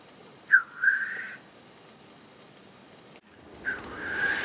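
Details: Black grouse lek display, two sharp, rushing hissed notes, each a short burst that trails off, separated by near silence, with a rising wash of noise at the end.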